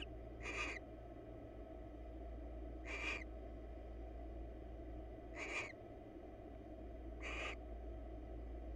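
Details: Wild barn owls at a monitored nest box, a pair preening each other's feathers; harsh broadband hissing screeches, about half a second each, repeated roughly every two and a half seconds over a steady low hum.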